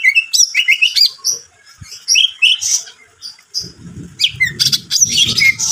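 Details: Lively cucak ijo song meant to stir up another bird: rapid sweeping whistles and chirpy notes tumbling in quick succession, then a busier burst of buzzy, squeaky phrases over a low background rumble.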